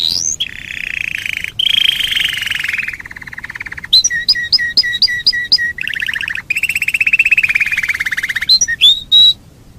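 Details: Canary song recorded 15 December 2017, played to get canaries singing actively for contests: long, fast, buzzy trills of even notes, sliding down from a high start, mixed with bright repeated two-note chirps and quick rattling rolls, continuous and loud.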